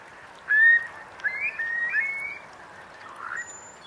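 Eurasian curlew giving three or four short, slurred, rising whistles in quick succession, over a soft background hiss with a faint high whistle near the end.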